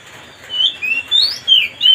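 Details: Kacer, the Oriental magpie-robin, singing as a lure to rile up another bird: four loud whistled notes, rising and falling, spaced about a third of a second apart.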